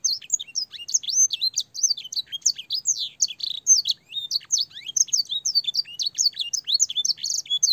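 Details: Canary master song, with blackthroat and sanger fills, for teaching young canaries: dense, sweet warbling of high whistled sweeps and clipped notes with no pauses.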